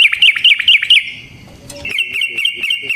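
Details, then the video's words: Loud yellow-vented bulbul lure song: a fast series of sharply inflected chattering notes, a brief pause, then another quick even run of rolled notes. "Suara Burung Trucukan GACOR ROPEL Panjang Ampuh Untuk PANCINGAN TRUCUK"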